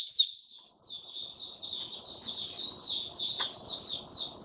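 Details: Caged white-eye delivering a continuous high warbling song of blurred, wavering notes, somewhat muffled, over a steady low rumbling background noise.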